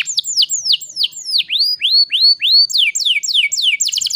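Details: Canary song to encourage quiet canaries: falling whistled notes, then rising upslurred whistles about four per second, ending in fast chattering descending notes.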